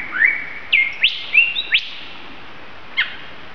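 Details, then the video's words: A lyrebird at Mason Falls, Kinglake National Park, Victoria, Australia, mimics currawong, bellbirds, galah, magpie and kookaburra: a quick run of clear, high whistles and sharp upward-sliding chirps, a pause, then one more bright note. "Lyrebird of Australia. Amazing bird calls. Mimicking calls of other birds including the kookaburra."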